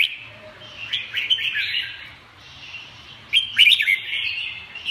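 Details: Red-whiskered bulbul delivering a busy stream of clear slurred whistles that fades into a quieter stretch, then returns with a sudden loud cluster of sharp, bubbling notes; faint low background hum throughout.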